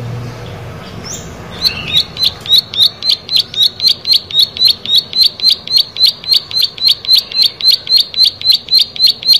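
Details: Prenjak sawah, the plain prinia, starts after a quiet second and a half, then pours out an evenly spaced series of bright, buzzing chips, close to four per second, to the end.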